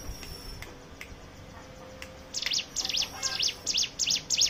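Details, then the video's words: Quiet background with a faint thin tone at first, then a Hill prinia, kept as a lure to make other birds sing, bursts into quick repeated high chirps about three per second. "pancingan ciblek gunung bahan ombyokan"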